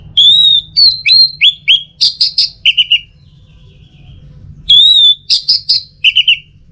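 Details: Orange-headed thrush singing loud, clear whistled phrases made of slurred notes and quick staccato chips. The phrase repeats after a silent gap of about a second and a half.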